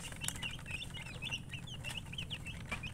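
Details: Chicken chirps: quick, high, slightly falling peeps repeated several times a second over a constant low hum.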